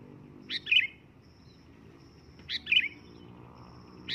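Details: Loud sooty-headed bulbul calling, said to draw an answering bird: bright, quick two-part whistled phrases repeated about every two seconds. A third phrase begins at the end, with a faint ticking insect and low rumble behind.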